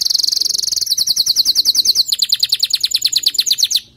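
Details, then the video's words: Male canary singing to encourage a female canary to build a nest: a steady high trill followed by brisk repeated chirped notes roughly eight per second, ending abruptly. "أقوى تغريد ذكر كناري لجعل انثى الكناري تلف العش بسرعه"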